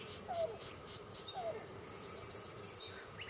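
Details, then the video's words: Presumed female Yellow-billed Cuckoo at Bill Williams River NWR, La Paz County, Arizona, July 14, 2015, around 6:00am, giving two soft, low, slightly falling coos about a second apart over a steady high insect buzz and hiss. "Yellow-billed Cuckoo cooing"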